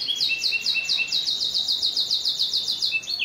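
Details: Canary in full continuous song, a long roll of quick, sharp, high notes repeated about four times per second, with softer lower notes between them early on and again near the end.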